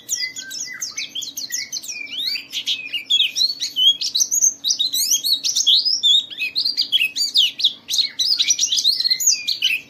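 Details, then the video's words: A white-eye, played to stimulate other white-eyes to sing, gives a fast, continuous jumble of high, thin twittering and chattering notes over a faint low hum. "Suara burung Pleci ini Ampuh memicu semua Pleci cepat Buka Paruh dan gacor"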